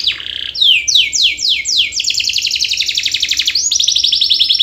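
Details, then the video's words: Canary singing a long, continuous 'gacor panjang' song, used as a lure to stir lazy canaries into singing. Rapid high trills sweep downward in quick repeated phrases, then merge into a sustained buzzy rattle and a dense trill to the end. "Pancingan KENARI GACOR PANJANG Untuk Kenari Malas Bunyi Agar EMOSI Dan Ikut Bunyi"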